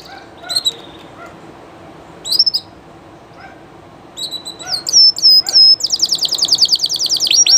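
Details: Llarguet Español canary singing live: scattered short chirps and sliding notes, then a build into loud sweeping whistles and a fast, even, high trill lasting nearly two seconds, with quiet gaps between.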